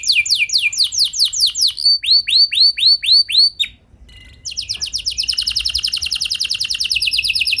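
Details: Canary song from a lure recording meant to get other canaries singing long: quick descending whistles, a run of looping notes, a brief quiet gap, then a long dense rapid trill.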